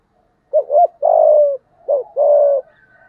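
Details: Spotted dove coos meant to goad wild rival males, delivered in the 'giọng thổ' voice: two phrases, each a brief two-part note leading into a sustained, slightly falling low coo.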